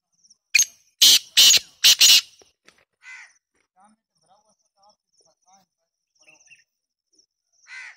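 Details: Black francolin, said to call in winter and summer, gives four loud, harsh, rasping notes in a fast burst. Quieter scratchy calls and faint high chirps follow in a still background.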